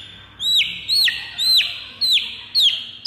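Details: White-rumped shama fighter song to provoke other birds: five loud whistled notes, each swooping sharply downward, repeated about every half second.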